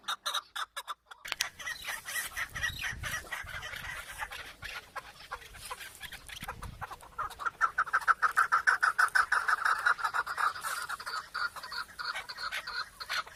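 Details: Chukar partridge calling in a run of rapid, harsh clucking notes that quicken and grow louder after a few seconds, with some scratchy background noise at the start.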